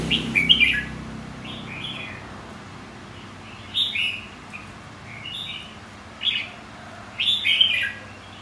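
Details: Red-whiskered bulbul singing, used to spur contest singing: short bright chirping phrases in bursts, rising and falling, spaced by pauses of one to two seconds over a low steady hum.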